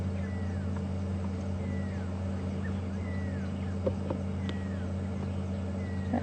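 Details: Pearl-spotted Owlet at Djuma Game Reserve, South Africa, on an afternoon safari drive, 15 February 2015, giving clear, descending whistled notes about every one and a half seconds over a steady, low vehicle engine rumble.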